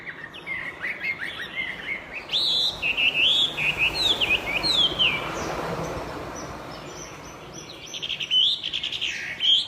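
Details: Prolific song from a Chinese hwamei: brief whistles open into a loud stretch of varied, slurred and looping whistled phrases, a softer gap, and closing bright notes.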